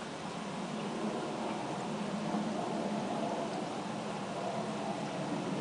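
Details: Steady broadband hiss with a low rumble, like distant traffic or wind, and no animal calls.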